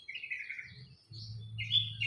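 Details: A newly kept Olive-backed Tailorbird, held in a bright, shaded, warm spot, starts calling with a high, thin chirping call in two short bursts, with a low hum and faint voices underneath.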